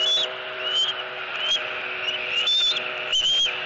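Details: Eaglet begging for food at a Southwest Florida nest, 3 April 2018. Faint short whistled squeals, slightly rising, repeated irregularly over a constant humming background.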